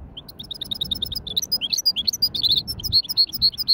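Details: Hybrid goldfinch giving a light warm-up of widani-style song: rapid, twittering high notes, short trills and buzzy slurred phrases delivered nearly continuously, with low background rumble.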